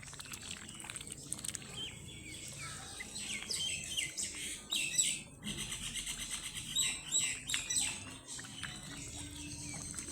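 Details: Several baby ducklings chirp and peep together while playing, a busy overlapping chorus of high, bright, rapid notes that swell in bursts through the middle and fade toward the end.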